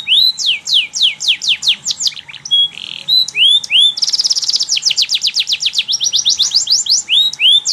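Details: Energetic canary singing as training material for young canaries: bursts of quick descending sweeps, a buzzy rattling passage, then a long rapid trill of repeated notes followed by rising and falling slurred phrases.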